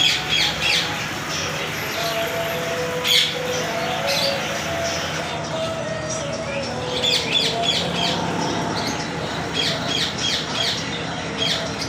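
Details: Sun conures for sale in Multan give harsh, grating screeches in short bursts over a busy background of bird chatter and faint human voices.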